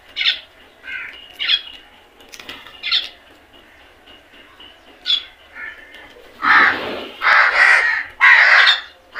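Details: Crows in a flock while eating, scattered short caws from several birds followed by three long loud harsh caws in close succession near the end.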